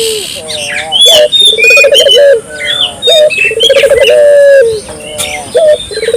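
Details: Barbary dove calling steadily to provoke local doves into calling: repeated low coo phrases with rapid trilled centres and drawn-out falling ends, about every two seconds, mixed with busy high chirps and whistles of other birds.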